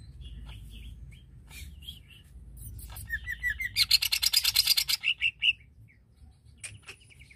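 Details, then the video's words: Greater green leafbird song aimed at provoking rival leafbirds, over steady low background hum. Scattered soft notes build into whistled phrases and a loud, fast rattling chatter, then trail off. "Bikin Cucak ijo Lain Terpancing Emosinya"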